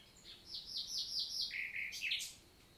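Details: Morning daytime song of a common nightingale in a forest of the Célé valley, Lot, south of France, recorded 11 June 2023: about five high, descending notes repeated evenly, then lower slurred notes and a bright rising burst.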